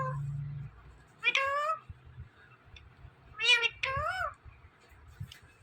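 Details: Indian ringneck parakeet talking: two bursts of drawn-out, meow-like harmonic notes that bend upward then fall, about two seconds apart, over a low steady hum and a quiet room.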